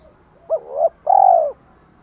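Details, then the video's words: Spotted dove calling to challenge and to attract hens: a brief hooked note sliding into a wavering coo, followed by one long rich drawn-out coo, background quiet. "tiếng chim cu gáy thúc đấu và gáy gọi hai hậu"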